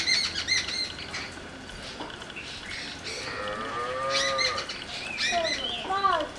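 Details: Jungle babbler giving harsh, rasping chatter in short bursts, with a mid-pitched bowed nasal note in the middle and more scratchy rapid notes near the end.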